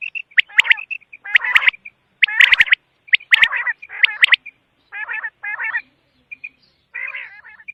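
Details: Quail giving rapid, squawky chattering phrases about once a second, with clipped high ticks between them, fading to softer bursts toward the end.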